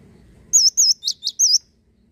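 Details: Male cinereous tit singing in free-flowing 'lossdol' style: five loud, clear whistled notes, wavy rising-falling slurs broken by two sharp descending strokes, delivered briskly over a quiet low murmur.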